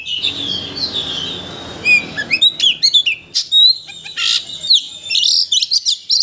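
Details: White-rumped shama song used as a lure to provoke another shama into singing its full repertoire: a rich, fast run of high whistles, sharp chips and rising and falling slurred notes, delivered in quick bursts.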